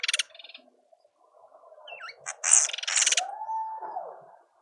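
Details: Speckled mousebirds at a feeder in a suburban garden in Pretoria, South Africa: short harsh, buzzy rasping bursts, a brief one at the start and a longer grating run midway, with a clear whistled slide and other garden birds.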